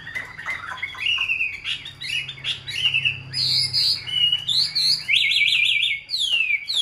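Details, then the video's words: A tame, hand-held caged Chinese hwamei, described as a good fighter, sings a rich, varied song of loud whistled phrases, slurred notes and rapid trills, with a faint low hum behind. "Chim thuần sách tay hót, đấu tốt - Hoạt Họa Mi"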